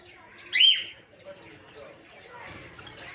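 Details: A single short, piercing shriek from a peach-faced lovebird kept in a breeding aviary stands out, followed by quiet, scattered chattering.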